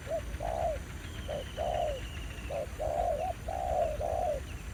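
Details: Spotted dove, territorial male lured by a decoy in Vietnam. Brief coo then a long arched coo repeated, with a faint thin high whistle from another bird in the background.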